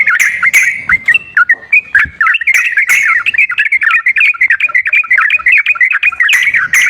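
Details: Sooty-headed bulbul singing in a continuous chatter of short, liquid whistled notes that flip up and down, used to stimulate a bird that sings too rarely. Brief sharp clicks break in near the beginning and end.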